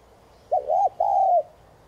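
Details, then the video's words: A single 'thúc gù' coo phrase from a spotted dove, used to push other doves into cooing: a brief rising-falling note followed by a longer, steady, mellow hoot, all low and soft, with quiet hiss behind. "Chim cu gáy THÚC GÙ kèm bổi kích bổi nhanh nổi hiệu quả.cu gáy Thúc Gù kích bổi căng lửa gáy ngay"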